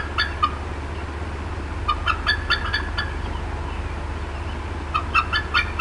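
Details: Upset mother bald eagle at the Decorah North nest, afternoon of 18 April 2016: a few scattered clusters of short, high chittering notes separated by quiet stretches over a constant low hum.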